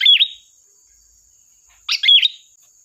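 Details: Two short, bright phrases of sooty-headed bulbul lure song in gacor style, each a chirp cluster ending in a falling-rising whistle, under two seconds apart, with a steady faint high tone.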